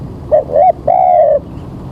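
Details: Clear three-note coo of a spotted dove, early morning with rain about to fall, during bird trapping: short first note, fuller second, then a long level-to-falling final coo.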